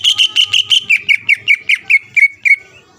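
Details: Greater green leafbird singing hard to provoke rival leafbirds before competition: a quick string of clear whistled notes, the first ones fuller and buzzier, the later ones thinner and slowing slightly, over faint low background noise.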